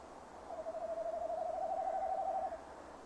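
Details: Tawny owl male, recorded by a nest box camera on a mid-December evening at 17:10, gives one drawn-out tremulous hoot lasting about two seconds, steady in pitch with a rapid wobble throughout.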